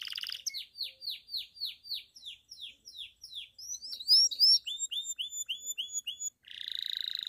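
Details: Pied Belgian canary in bell song, said to encourage other canaries and females: a steady string of downward-sweeping whistled notes, then rising slurred notes and a quick chirping series ending in a brief buzzy trill.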